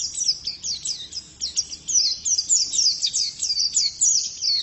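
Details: Female white-eye giving a continuous, high chirping warble of rapid slurred notes, growing louder after a quieter start, with faint background hum.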